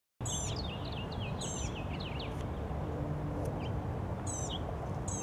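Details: Blue-gray gnatcatcher recorded in Savannah, Georgia on 1 April 2022: a series of thin, high, wavering notes in quick succession, partly masked by steady low rumbling background noise, with sharper higher chips from other birds.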